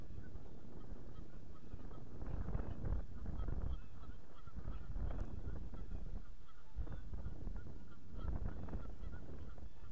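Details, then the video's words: Flock of geese on a pond, 31 March 2014, honking in scattered nasal bursts, partly buried under gusty low wind noise that swells and fades. "GEESE ACTIVE ON POND"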